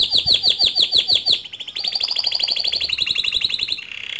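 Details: Male canary singing a lively, continuous rolling song: a fast series of repeated descending chirps, then a dense buzzy trill and quick chattering phrases, high-pitched throughout, recorded indoors.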